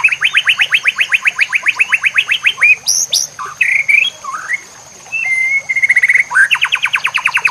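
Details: Training song of a White-rumped shama for teaching other birds, with natural ambience and running water: long run of rapid repeated rising notes, then sweeping whistles and a held flat tone, then rapid notes again, constant high-pitched hum behind.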